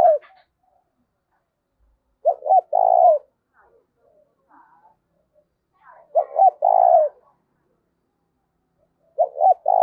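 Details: Decoy spotted dove with a 'giọng thổ' song, used to lure wild doves: low cooing phrases repeated roughly every four seconds, each stuttering short notes then a sustained purring coo.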